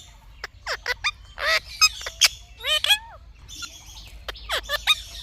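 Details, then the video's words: Indian ringneck parrot talking in a jumble of raspy, buzzy syllables and bent squeaky notes with sharp clicks, delivered in uneven bursts. "Funny Talking Indian Ringneck Parrot"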